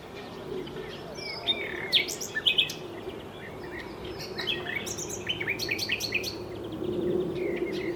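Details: Common nightingale singing: varied bursts of sharp whistles and rapid chirping phrases, some high and clicking, separated by short pauses, over a steady low background hum.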